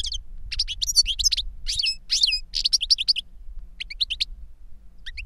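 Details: Caged goldfinches, a master bird and the young one it taught, in a busy run of high tinkling twitters and buzzy trills, thinning to a few sparse chirps at the end over faint hum.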